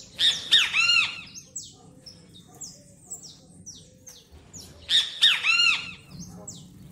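Great kiskadee gives two loud, harsh three-note 'bem-te-vi' phrases about four seconds apart, with faint high chirps from other birds in between.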